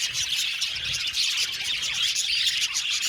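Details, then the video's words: Brief stretch of a budgerigar colony in an aviary, a dense, bright chatter of rapid chirps and warbles. "Beautiful budgies sound | Amazing Budgies sound | budgies chirping sound"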